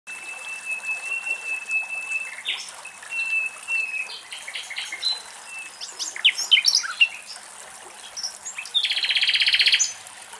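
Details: Common nightingales singing in Axios Delta National Park, Thessaloniki, Greece: a long, steady whistled note, then varied sharp chirps and quick phrases, ending in a loud, rapid buzzing trill, over a soft background hiss.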